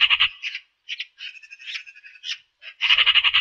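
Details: Eurasian magpie calling in short harsh rattles at the start and end, with a sequence of quieter, nasal, chattering notes in between; rasping and clicky throughout, with no other sounds.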